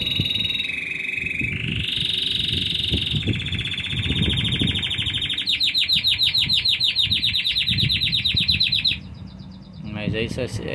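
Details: Intense yellow Belgian canary singing at length: a sequence of sustained trilled tours, each a fast run of repeated notes that shifts pitch, rising to a bright high rattle before a short pause and new phrase, over soft room noise.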